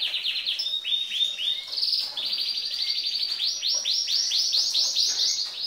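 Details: Female canary singing as males do, stirring up the males: fast rolling trills of repeated high rising notes, switching between trill types in a continuous, energetic stream.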